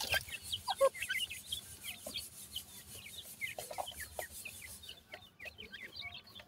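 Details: Young francolin chicks on a summer day keep up continuous small high chirps, many quick down- or up-slurred notes overlapping from several birds, over a steady hiss, with occasional soft knocks.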